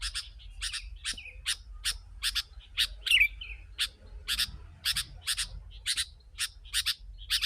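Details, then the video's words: Sooty-headed bulbul in a dense, energetic song used to lure wild birds: short bright chirps repeated about twice a second in a steady run, with one higher twisting whistle near the middle and a low hum underneath. "Kutilang si.ladusing super gacor suara rapat menekan burung liar"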